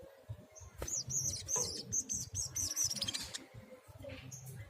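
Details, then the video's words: Sunbird in full song for bird training: a run of quick, high, slurred chirps repeated about twice a second over steady background hiss and soft low rumbling. "SOGOK ONTONG GACOR"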